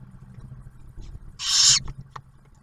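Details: Single harsh, breathy hiss rising out of a low background hum, recorded at a barn owl nest in Ottawa National Wildlife Refuge, Ohio, during the first owlet's first meal.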